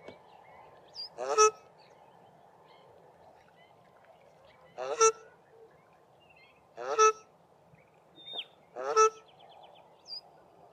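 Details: Pair of South African shelducks duetting on sewage ponds at Mayfield, Grahamstown: rich nasal honks repeated roughly every two seconds, five bursts, male lower-pitched and female higher, with faint small bird chirps and a constant low hum behind.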